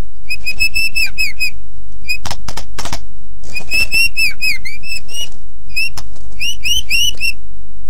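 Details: White-rumped shama song meant as a master for other birds to learn: bursts of rapid repeated chattering trills, each about a second long, separated by pauses and a few sharp clicks.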